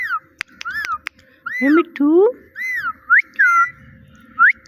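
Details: Talking parrot alternates curved whistled "Mitthu" syllables with two lower, rising "meow"-like calls, indoors with a few sharp taps.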